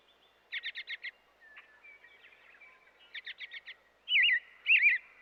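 An American robin gives two quick bursts of five sharp, clipped notes, then two loud, looping whistled phrases that rise and fall. The background is quiet.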